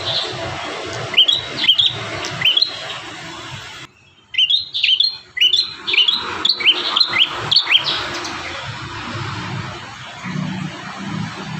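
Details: Bar-winged prinia singing energetically, one of five song variations meant for training other prinias: sharp whistled notes sliding down, given singly, then after a short gap a quick run of about eight similar notes, over steady background hiss.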